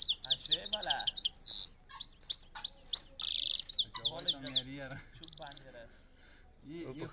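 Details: Himalayan goldfinch song of quick high chirps, slurred sweeping notes and short buzzy bursts, delivered in rapid runs with brief gaps. Low human voices talk over parts of the singing.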